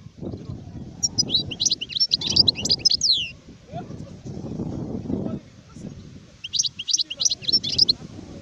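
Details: Adult European goldfinch song from 2019, given in two bursts of bright, high twittering notes with slurred chirps, separated by a pause, over steady low rumbling and murmur in the background.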